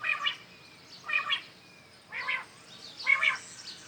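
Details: ['Morning calls of common quail, with softer, blurred three-part bursts coming about once a second, sounding more distant and echoing.']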